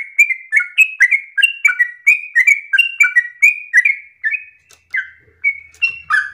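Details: Insistent, long-breathed yellow-vented bulbul song, an easy-to-imitate phrase for tutoring other birds: fast whistled notes alternating high and low, a short lull midway, then spaced notes resuming loudly.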